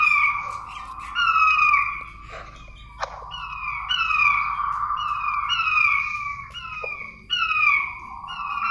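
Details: King quail lure call: a run of clear, piping whistles, each sliding downward, about twice a second in short bursts over a faint low hum.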